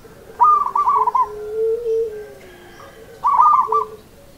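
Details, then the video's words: A local zebra dove gives two rolling, trilled cooing phrases in the seni irama rhythm style, each a rapid run of throaty pulses about three seconds apart, with a soft lower drone between them. "SUARA PERKUTUT LOKAL SENI IRAMA"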